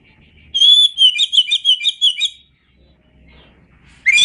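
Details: Tutor-track song of an Oriental magpie-robin: one long clear whistle followed by about eight rapid, evenly spaced chirped notes, then a short pause with faint low hum before a rising note begins.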